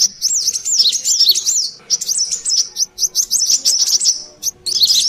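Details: Lively lure recording of a brown-throated sunbird: thin, high wavering whistles and sharp chirps repeated in quick phrases, with a few short gaps between bursts.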